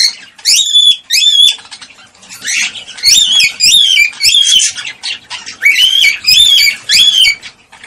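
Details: Cockatiel mating call to prompt breeding: rising, whistled notes that bend upward and level off, given singly and in quick pairs, mixed with buzzy squawks across eight seconds.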